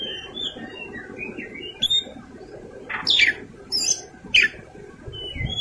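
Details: Oriental magpie-robin (kacer) delivering fighting song with rich fill-ins: a few soft whistled slurs, then three loud, harsh, descending rasping bursts about a second apart, over a faint background hum.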